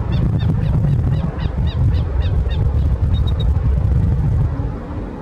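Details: Killdeer (Charadrius vociferus), resident year-round at a restored wetland reserve in Tocancipá, Cundinamarca, Colombia, where it nests, gives a quick series of about nine shrill, high notes, three or four per second, then a few thin peeps, over heavy low wind rumble.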